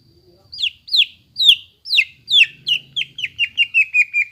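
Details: Greater green leafbird song used to stir a silent caged bird into singing: a series of downslurred whistled notes, spaced at first then quickening into a rapid even run of short notes.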